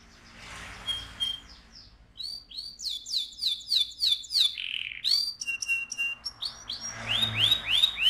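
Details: Canary singing to excite the male and prepare the female for breeding: a soft start, then fast rolling trills of sweeping high notes, a brief steady whistle, and bursts of rapid chirps near the end.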